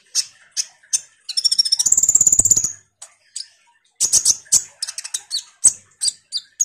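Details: Common iora singing 'ngobra' style, a lure song for kolibri ninja birds: scattered high chips, then a long, rapid buzzy trill of about a second and a half, followed by quick bursts of sharp ticking notes.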